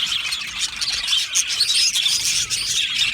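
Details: Australian budgerigars kept as an aviary colony chatter together in a steady high warbling mix, with thin whistled notes and rapid chirps rising above the busy background.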